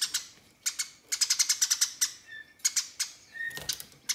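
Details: Fighting house sparrow calling out to rivals with long runs of harsh, rapid chirps, a dense rattling series in the middle, plus a short whistled tone and a soft thump near the end.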